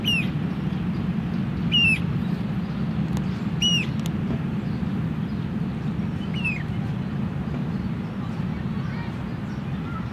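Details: Common moorhen (Gallinula chloropus) in Tivoli Landscape Park, Ljubljana, on 23 June 2023, gives four short, sharp, ringing notes a second or two apart, over a steady low rumble of traffic and city noise.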